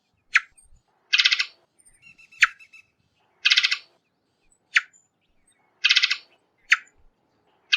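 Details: Clean, sharp chips and broad, harsh rattling rasps from a varied thrush trade off in regular turns, around four rasps in eight seconds, with faint thin notes between.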